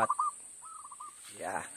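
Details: Zebra dove lure call during trapping: a few short coos, then a rolling phrase of quick soft notes, followed by a burst of nearby rustling noise.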